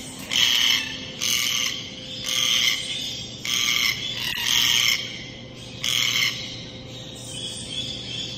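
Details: Red-tailed black cockatoo repeating loud, raspy, rolling calls, each about half a second long, six or seven in eight seconds with short pauses between, over a faint steady hum.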